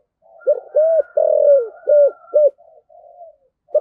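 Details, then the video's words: Spotted dove singing in the 'giọng thổ' cúc đinh style, a calling coo: short hooted notes, one long coo sliding downward, then two clipped coos, with soft murmuring between phrases. "cu gáy giọng thổ, cu gay giong tho cuc dinh gay gọi"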